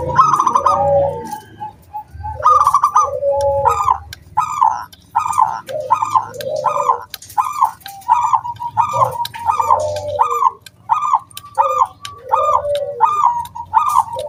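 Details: Zebra dove singing continuously as a lure to set other doves cooing, clear ringing 'kung' voice: a busy sequence of short pulsed phrases and dropping coos repeated about every second, with a faint low hum underneath.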